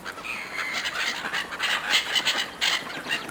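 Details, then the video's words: Seagulls squabbling over food handed out by a person: a busy mix of sharp, piercing cries and short squawks from several birds, repeated in rapid uneven bursts. "Seagulls fighting over food, Seagulls calling"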